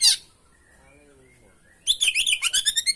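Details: Singing kacer, the oriental magpie-robin, in a lure recording packed with varied fill-in phrases: a brief sharp note, near silence with faint whistles, then a rapid series of bright, high, rhythmic chattering notes repeated quickly to the end.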